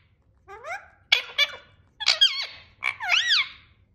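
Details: A jealous, angry pet parrot calls indoors in four separate bursts: a rising squeal, harsh clipped squawks, then a wavering, bending screech, about a second apart.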